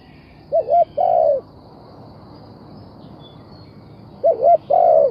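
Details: Spotted dove cooing: a soft mellow phrase of two quick wavering notes then a longer sustained hoot, given twice about four seconds apart over steady background hiss.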